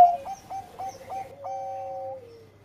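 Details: Engkel-style song of a Bangkok zebra dove for stimulating breeding mood: a sharp opening coo, then four evenly spaced short rising notes and a long held tone fading downward.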